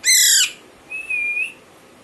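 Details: Young Alexandrine parakeet chick: one harsh, raspy squawk dropping in pitch at its end, then a thin, level whistled note of about half a second; otherwise quiet indoors.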